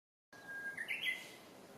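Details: Japanese bush warbler singing unseen in Senshu Park, Akita City, on 7 May 2017: a long, steady whistled note followed by a quick rising, warbled flourish, over faint background hiss.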